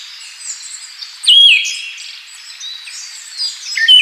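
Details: Siberian thrush delivering a strong falling whistle, then after a pause a second, rising whistled note, with faint chirps and light ambient noise around them.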